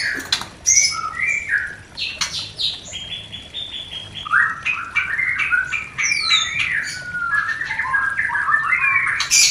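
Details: White-rumped shama mating sound for a new pair not yet breeding: assorted chirps, whistled trills and quick sliding notes amid sharp clicks, fairly busy and continuous.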